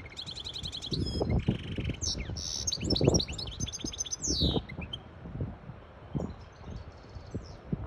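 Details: Hybrid goldfinch singing so chicks can learn and a female is stirred into mating posture; rapid repeated trills, a buzzy rasp, liquid chirps and descending slurs pour out, with knocking low sounds beneath.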